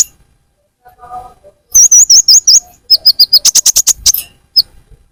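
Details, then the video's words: Sunbird calls used as a lure to attract birds: a faint lower warble, then high wavering chirps followed by a fast run of sharp, very high chips that stops suddenly. "Pancingan konin paling ampuh full suara pikat burung Kolibri ninja"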